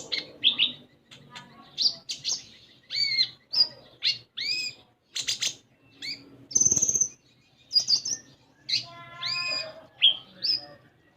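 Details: Caged common iora in Indonesia, a young untrained bird, singing a varied chattering song of whistled slurs, buzzy notes and quick rattling trills, with a brief flutter or knock midway and faint low background hum.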